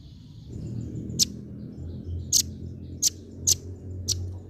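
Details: A female velvet-fronted nuthatch repeats five crisp, very high chip notes at uneven intervals of about half a second to a second, over low background hum.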